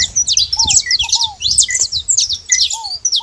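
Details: Saffron finch (canário-da-terra) making noise at a feeding spot: dense, rapid high chirps and short buzzy notes overlapping continuously, with occasional lower downslurred whistles and a few soft low thumps.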